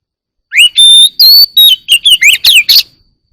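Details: Oriental magpie-robin morning song: a rich phrase of clear whistled notes, some rising and some falling, running into a quick series of sharp chirps and slurred whistles over about two and a half seconds.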